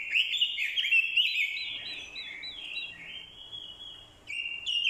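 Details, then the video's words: Decoy orange-headed thrush giving fighting song in answer to a female's call: a loud, richly warbled phrase slowing into a long wavering whistle, then a fresh outburst near the end. "Chim Quế lâm mồi, hót đấu cực hay. kèm tiếng quế lâm mái, kích trống hót đấu hay."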